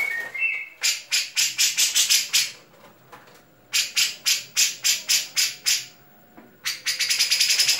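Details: Caged grey-cheeked bulbul, a national competition champion, in fighting mode with a song filled with sparrow-style mimicry. After an opening whistle come rapid bursts of harsh repeated chirps, about three per second, separated by brief pauses.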